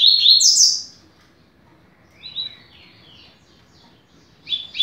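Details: Double-collared seedeater teaching song in the fast 'rápido de bico' style: the high end of one phrase, a few soft scattered chirps in a quiet gap, then the abrupt start of another phrase.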